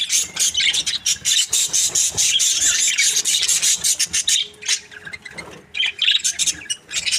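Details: Happy breeding pair of Australian budgerigars chattering in a fast, continuous stream of high, scratchy chirps and squeaks, with short gaps near the end.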